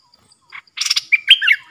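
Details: Caged decoy bulbul singing to draw in wild birds, 13 April 2021. A short buzzy rasp, then a lively run of slurred whistles that bend up and down. The background is quiet.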